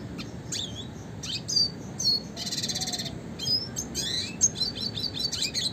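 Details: Red siskin, classic style for contest-bird training, delivers quick high chirps and a harsh buzzy rattle near two and a half seconds, followed by sharp twittered notes and short whistles.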